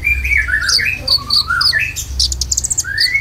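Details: Konin singing a lure song for caged birds: a fluid run of warbled whistles sliding up and down, then quick high ticks, over low background music.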